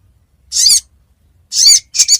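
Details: Sogon lure call for trapping: three harsh, raspy, high screeches, each about a quarter second long, the last split into two quick parts.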